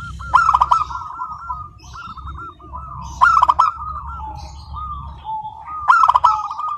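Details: Local zebra dove in continuous song with a clear, crystal-like tone: three sharp, clicking stutter bursts roughly three seconds apart, each followed by a long, rippling series of ringing coo notes, with a faint low hum beneath.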